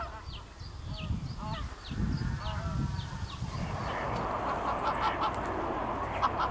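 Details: Greater White-fronted Goose calling: a quick series of high, yelping two-part honks in the first three seconds over a low rumble, then a broad hissing noise masks the rest, with faint calls still audible.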